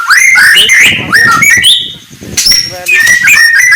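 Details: White-rumped shama singing in the morning: a rich, varied run of clear whistled phrases, rising and falling slides and quick trills in close succession, with a few sharper high notes and no other clear sounds.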